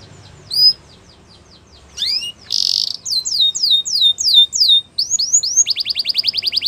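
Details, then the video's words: Canary's training song with scattered sharp notes, a short buzzy burst, repeated downslurred whistles, and a closing fast regular trill. "Canary's Training Song"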